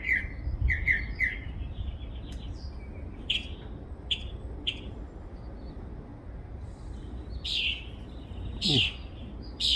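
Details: A bird twitters in a backyard with varied notes: a fast run of three chirps, scattered single tweets, then louder, fuller chirps at the close, over low background rumble.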